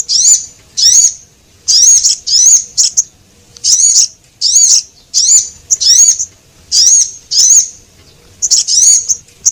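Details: Lure sound of Javan munias, both sexes, for catching the attention of small birds. A steady train of high, arched squeaky chirps, some paired, falls about every half second over nine seconds.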